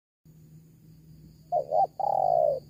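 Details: Spotted dove call, recorded as a lure to draw wild doves: two short cooing notes, then a long, steady, slightly falling coo, over a low constant hum.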